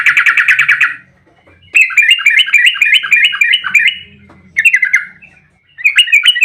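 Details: Agitated Yellow-vented bulbul fighting song in the dense 'ropel' style, used as a lure to make other bulbuls call back: three bursts of rapid, gurgling, slurred notes repeated several times a second, with short quiet gaps between them.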